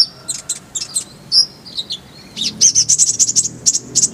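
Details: Brown-throated sunbird in full-fill masteran song: varied scratchy high chips and short slurred notes, then a fast, loud rolling burst of very high ringing notes.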